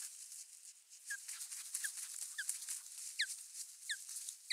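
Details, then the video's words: Female osprey at a nest, recorded by a live nest camera in Finland on 27 April 2022, whines with short, thin whistled chirps, spaced at first, then in quicker pairs, over a steady rush of wind. "naaras könyää"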